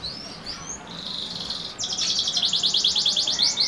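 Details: Singing canary, YS crossed with SF line: thin rising whistles and a level buzzy tone lead into a fast, loud, evenly repeated trill of about twelve pulses a second.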